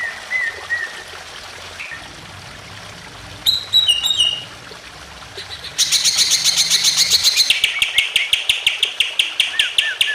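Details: Greater green leafbird giving emotional song meant to trigger other birds, with trickling water early on: soft whistles, brief twittering, then a long loud series of rapid harsh pulsed notes ending with downslurred whistles.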